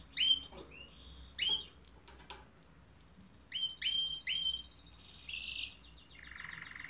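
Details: A canary sings loud, sharp rising-falling notes in short bursts separated by pauses, ending with a buzzy trill that drops into a lower sustained rolling tone.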